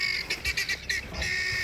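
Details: A flock of Helmeted guineafowl gives harsh, grating squawks in quick bursts, about three a second, over a steady high ringing tone, as a leopard comes down a tree nearby; the disturbed flock then falls silent and scatters.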